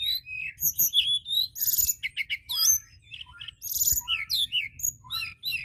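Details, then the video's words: White-browed shortwing singing vigorously, used to provoke other birds into singing: rapid, varied phrases of high whistled slurs and sharp chirps, with dense buzzy bursts near two and four seconds, delivered in quick irregular sequences. "Tledekan gunung gacor!!! ampuh pancing emosi burung bahan"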